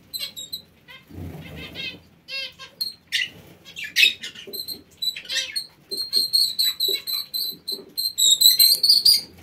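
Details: Parakeets in an aviary chatter in fast repeated high chirps and buzzy notes, building to a dense continuous twitter toward the end.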